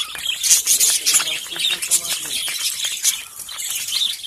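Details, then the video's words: Hungry caged lovebirds, described as budgies, quickly finishing their food, fill the air with dense, continuous high chattering and squeaky chirps from several birds at once, busy and overlapping throughout. "And hear lovebirds sound"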